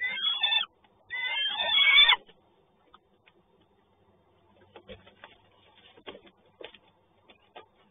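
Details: Peregrine falcon in Toruń, 30 May 2019, morning: two harsh, grating wails in quick succession, followed by quiet clicks and faint background rustling.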